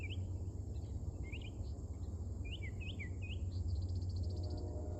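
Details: Mockingbird singing early in the morning, at first unseen: a series of short, sharp, rising chirped phrases repeated quickly, over a steady low hum and a constant high insect-like whine.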